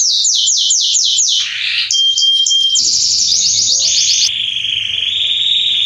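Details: A male Belgian canary sings quick descending notes in a series, then a thin pure whistle, a fast chattering trill and a long, sustained lower buzzy roll.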